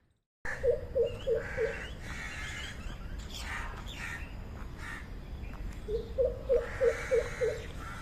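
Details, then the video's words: Greater coucal giving deep, hollow booming notes in quick runs of four and then six, about three per second, with faint chirps of other birds behind. "Mahokh Bird Sound | Greater Coucal Sound"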